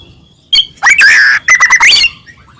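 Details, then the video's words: Short phrase of white-rumped shama song used to prompt other shamas to sing: a sharp note, a long steady whistle, then a second whistle sweeping upward at the end. "murai batu gacor AMPUH buat PANCINGAN murai batu agar bunyi"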